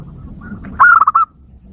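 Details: One zebra dove lure phrase used to provoke wild doves: a bright rising opening note running into four rapid, evenly pitched, rolling coos, over faint low background noise.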